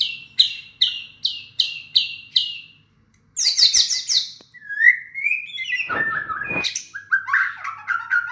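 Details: White-rumped shama singing in response to a lure recording: six clear descending whistled notes repeated about every half second, then a brief pause, then varied high chattering, slurred whistles and a burst of harsh, buzzy notes.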